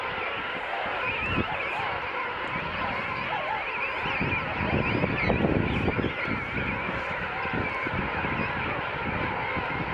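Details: Royal penguin rookery of about half a million adults and downy juveniles at St Andrew's Bay, South Georgia, just after dawn: countless harsh braying and honking calls overlapping into a continuous roar, with low wind rumble beneath.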